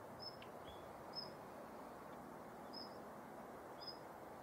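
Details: Morning calls of a female Daurian redstart at Yanagishima Beach, Japan, 19 November 2021: four sparse, thin high whistles spaced about a second apart, with a faint tick, against constant low background rumble.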